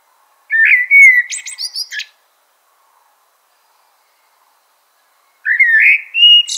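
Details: Common blackbird phrase: a fluty low warble ending in a burst of high thin squeaky notes, then a long silence before another rising fluted phrase begins.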